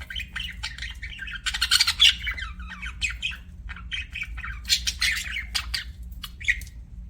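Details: Pet budgies chirping: busy, irregular bursts of scratchy chatter and short squawks, several birds overlapping, with a steady low hum in the background.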